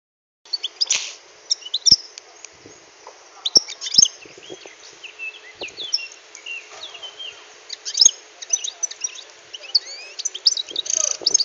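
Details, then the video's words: Wild-caught European goldfinch after six months in a cage, singing a scattered, twittering song of high tinkling notes and short trills, with occasional sharp clicks and a faint steady hum behind. "Chardonneret sovage"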